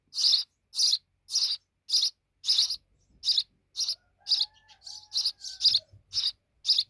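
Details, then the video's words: Grown sparrow fledglings chirping in quick high notes, nearly two per second, with a faint thin whistle-like tone and soft low bumps behind later chirps. "Little Sparrow Babies Big Now"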